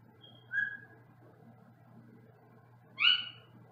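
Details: Caged Senegal parrot heard from another room, giving two loud, separate calls about two and a half seconds apart: first a short high whistle, then a harsher, rich, rising-falling squawk over a faint room hum.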